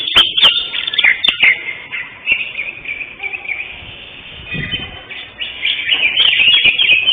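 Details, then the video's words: Greater green leafbird, first-place winner of session 5 at Kopdar Mahesa Jenar, 11 October 2025; quick chattering bursts, a quieter stretch in the middle, then renewed rapid warbling, with sharp clicks early on. "JUARA 1 CUCAK HIJAU JENAR"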